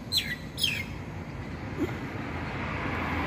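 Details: Myna in Taiwan, vocal and active, gives two clear high notes sliding sharply downward, half a second apart, followed by quiet against a constant low hum of traffic-like noise.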